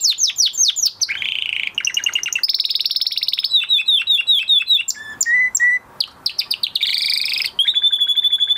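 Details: Canary song after moulting, varied and loud: quick descending chirps, buzzy rolls, rapid trills, a few clear whistled notes and a final steady whistle, phrases changing every second or so.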